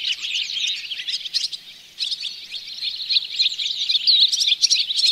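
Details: Barn swallow twittering, Oostvaardersplassen bird hide, September 2016, Panasonic Lumix GH4; lively high chirps and warbles with short scratchy rattles, a brief pause near two seconds, then chatter resuming louder with clicking bursts.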